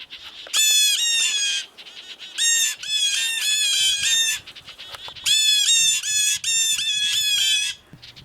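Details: Canada jays in snowy February woods giving harsh, nasal alarm calls in bursts of rapid, rasping notes, two loud runs separated by quieter gaps; they stayed still up in a tree and the cause of the alarm was never seen.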